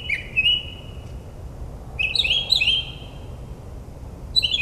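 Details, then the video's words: Northern mockingbird performing at night in a New Jersey suburb, copying other birds' sounds: drawn-out slurred whistles and warbled phrases, with pauses between, over a soft low hum. "Mockingbird's Nocturnal Performance"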